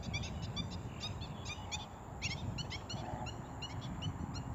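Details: Wild red-wattled lapwing filmed from far away with a zoom, giving faint, sharp, high call notes repeated in quick bursts against low rumbling background noise.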